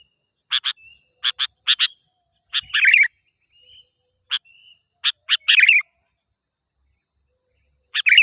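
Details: Sooty-headed bulbul lure recording for wild birds: quick paired chip notes, then rasping chatters, with soft thin whistles in the gaps and a final harsh burst.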